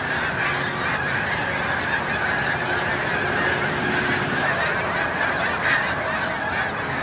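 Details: Snow geese at Montezuma, New York, on 7 March 2022, as migration nears its peak and the birds take flight: a massed din of shrill honking voices, continuous and slightly softer, with occasional louder nearby calls.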